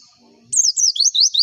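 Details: A short burst of pleci (white-eye) lure song used to make birds sing sooner: after a brief quiet start, high wavering chirps rise and fall in quick, slurred zigzags, repeated several times within a second.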